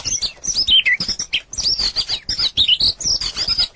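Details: White-rumped shama singing naturally, a rapid continuous stream of high chirps, trills and short whistled notes, mostly very high-pitched with quick sweeping phrases and little pause between them.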